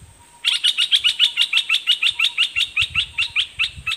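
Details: Caged Olive-winged Bulbul decoy bird singing at wild birds: a fast run of about sixteen bright, sharp chirped notes, evenly spaced roughly four per second. A steady high whine and a lower tone hum underneath.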